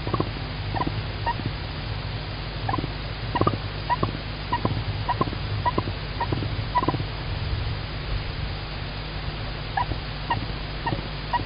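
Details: Tawny owl at an Estonian nest-cam on 25 March 2019, female Klaara "singing" as male Klaus again brings food: soft, short, mid-pitched chittering notes in quick, irregular bursts over a steady low hum.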